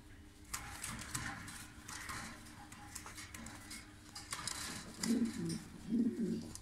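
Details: Low, muffled cooing from a breeding pair of blue bar-less Lahore pigeons: after several seconds of room hum and faint knocks, two deep rolling coos come close together near the end.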